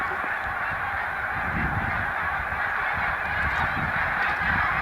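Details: Spring migration stopover of big Snow Goose flocks on Cayuga Lake, New York, 20 March 2021: a continuous mass of nasal honks from countless birds, steady in loudness throughout.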